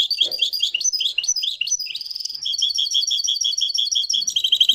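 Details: Marrakchi-style European goldfinch singing live, a continuous fast stream of bright chirps and liquid twitters with a short buzzy trill in the middle.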